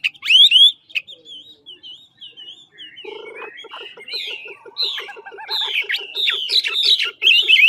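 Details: A Lạng Sơn Chinese hwamei, ngũ trường type, sings a fighting song: a loud upslurred whistle, then a wavering trill, a low rapid pulsing chatter, and finally loud repeated downslurred whistles.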